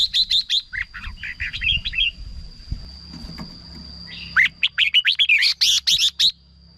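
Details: Red-whiskered bulbul singing, used to excite birds or as a decoy: quick bright note runs and jumbled warbled phrases, a quieter stretch, then a dense burst of lively chirpy notes. A steady high whine persists throughout.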